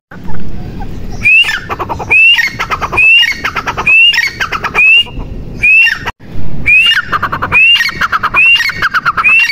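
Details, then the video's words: Francolin (teetar), male and female calling: after a low noisy start, loud rhythmic phrases of a rising whistle plus rapid harsh clucking repeat about once per second, with a brief pause midway and overlapping calls near the end. "Teetar Ki Awaaz | Teetar Ki Awaz | Mada Teetar Ki Awaz | Madi Teetar Ki Awaz"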